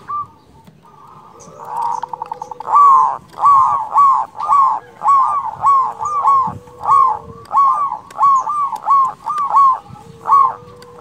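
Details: Local zebra dove with a big voice in emotional, rival-calling song: after a soft start, loud ringing coos repeat in regular paired pulses about one and a half times per second, over low background murmur.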